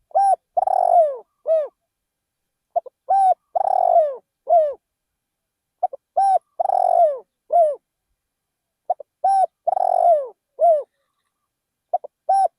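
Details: A decoy spotted dove in a rice field repeats its low cooing song about every three seconds. Across four phrases it gives clipped notes, a long vibrating purr and a dropping final coo, in a quiet setting.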